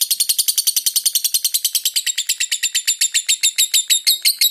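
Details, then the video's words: Long ngekek trill from a lovebird, kept with tight pauses for use as a tutor recording: steady rapid-fire shrill notes, many per second, held continuously for about four and a half seconds and easing very slightly in pace toward the end. "Masteran Lovebird Ngekek panjang jeda RAPAT"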